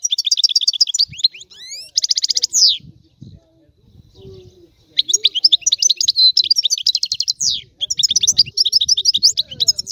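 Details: European goldfinch, Sicilian 'antico' song: high, fast twittering and buzzy trills, a quieter stretch of soft low notes in the middle, then the lively tinkling song resumes.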